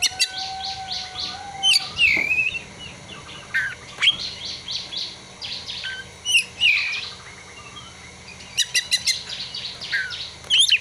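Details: Oriental magpie-robin (kacer) song carrying imitated prinia (ciblek) and sunbird (kolibri) material: quick high chirps, sharp upslurred whistles and rapid repeated ticking bursts in a varied, jumbled sequence, with a low steady tone briefly at the start.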